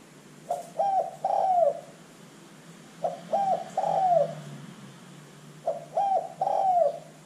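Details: A spotted dove, recorded as a lure to get other doves singing, gives a soft, hollow three-note coo, two short notes then a longer falling one, repeated about every two and a half seconds.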